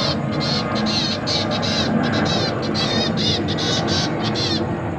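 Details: Zebra finch young in a cage call to be fed by their parents, 29 September 2023. Rapid nasal begging notes, some wavering, come in quick bursts over a loud continuous low rumble of background noise.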